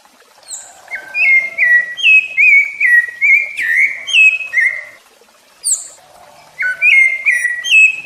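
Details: Rufous-bellied thrush singing, meant to teach and excite captive young and adult birds: a run of about ten rich whistled syllables with a sharp high note in the middle, a pause, then a thin squeak and another fluty phrase.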